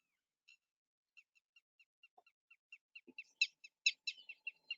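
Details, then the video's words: Red-wattled lapwing call played back, likened to the phrase 'did you do it? did you do it?': a series of high, sharp notes quickening and growing louder into strident, piercing repeated cries. "For example, listen to this call of the red wattle lapwing."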